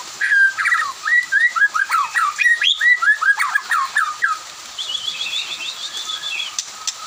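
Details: White-rumped shama singing in the afternoon while other birds answer: a fast run of clear, slurred whistled phrases, each dipping and rising, repeated about twice a second, followed by a softer high twittering reply, over a steady background hiss.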